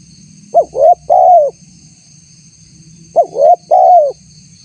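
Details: Spotted dove lure call for drawing out wild doves, tagged as a female calling a male: two identical phrases about two and a half seconds apart, each a short note, a rising coo and a long falling coo, with steady whine and hum.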